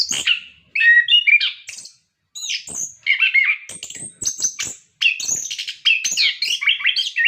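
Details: Captive-training song of an orange-headed thrush, meant to get other birds singing: long varied flow of whistles, chatters and mimicking-like scratchy notes with brief breaks.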